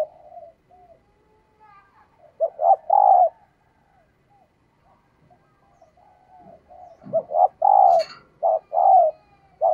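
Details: Female red collared dove giving low, throaty coos in short bursts of three or four notes, two clusters several seconds apart; used as a lure call to stimulate males.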